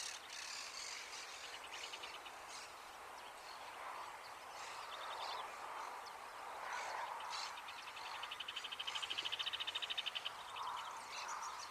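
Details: Rufous hornero in an urban area of Uruguay: a short rattling burst early on, then a fast, even series of sharp, loud notes near the end, over steady traffic noise and scattered chirps of other birds.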